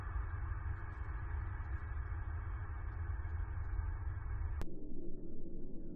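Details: A steady low rumble of wind or handling noise fills the recording, then stops abruptly after a sharp click near the end, leaving a quieter hiss.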